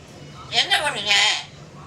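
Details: Talking myna from Malaysia uttering Tamil words: a hoarse, nasal, speech-like phrase of two quick syllables followed by a longer drawn-out syllable, about one second in all, over a low background hum.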